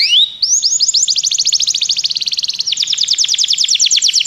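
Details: Training song of a canary: a quick rising whistle, then a long fast trill of clear falling notes that jumps higher partway through and continues steadily.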